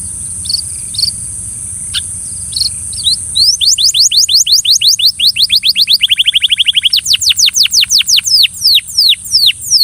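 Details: Belgian canary singing to coax another canary into song: after about three seconds of faint, scattered chirps, fast sweeping trills rush in, each note a quick downward slide, with a buzzy rolled passage midway and a steady high hiss behind.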